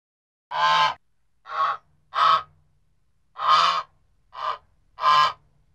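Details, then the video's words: Six loud, nasal, harsh goose honks come in two groups of three, each honk brief and evenly spaced, against a silent background. "Geese Honk Sound"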